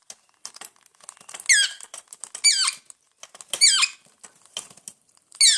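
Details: Hungry pet parrots indoors giving harsh, rising squawks that sweep up into high, noisy bursts, several spaced about a second apart, between soft pattering and small scratchy sounds.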